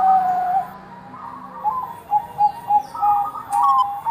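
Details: Bangkok zebra dove singing actively as a lure for others: a drawn-out opening coo, a pause, then a string of short, clipped coos rising toward the end.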